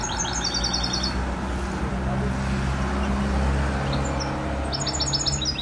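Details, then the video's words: European goldfinch, called maknin, from Skikda: a quick burst of high twittering, tinkling notes at the start and another near the end, over a steady low hum and background noise. "Chant chardonneret"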